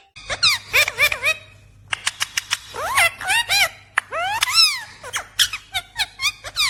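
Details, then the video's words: Talking Indian ringneck parakeet: a rapid run of squeaky, strongly swooping, speech-like syllables with rising and falling pitch, in bursts with short pauses, over a steady low hum. "Natural Sound of Talking Ringneck Parrot"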